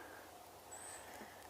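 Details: Brown creeper (Certhia americana) seen in the field on 3 April 2021 with woodpeckers nearby gives a single thin, very high, drawn-out call, faint against a steady background hiss.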